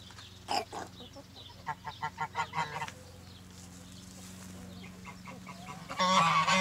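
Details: Farm geese kept alongside chickens in spring: a couple of isolated nasal honks, then a quick run of about six honks, a pause of steady background hum, and a sudden loud burst of overlapping honking at the end.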